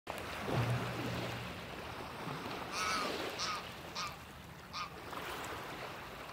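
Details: Greylag goose giving a few short, harsh nasal honks spaced about a second apart, over steady background rumble with a low hum at the start; recorded 17 March 2023.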